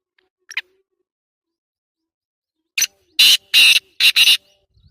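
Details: Black francolin calling: after a brief faint note and a pause, a series of harsh, loud, broadband notes in a rapid stuttering burst near the end.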